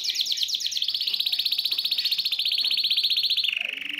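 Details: Excited male canary in a cage singing to stimulate a female to mate: a quick chirped opening, then long rapid rolling trills of high notes, the last dropping lower before ending.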